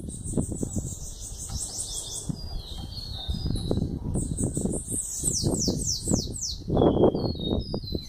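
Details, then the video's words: Young bananaquit aged eleven months giving strings of high, hurried, down-slurred buzzy notes, with much low thumping and background noise throughout. "Sibite filhote com 11 meses dando Chow"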